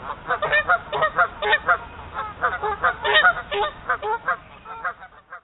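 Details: Two geese, suddenly very territorial, three feet from a trail camera fitted with a close-focusing lens, giving loud, harsh, nasal honks in rapid uneven bursts, roughly two or three a second, with raspy blowing notes between them. No other sounds.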